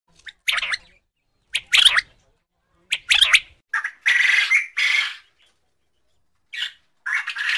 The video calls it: Quail Sound Effects